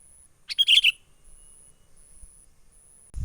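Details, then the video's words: Sooty-headed bulbul from the wild, a 'menggaruda' lure call used for trapping birds: a single short cluster of bright, gurgling chirps, followed by near silence and a thump at the end. "SUARA pikat kutilang gacor asli alam liar"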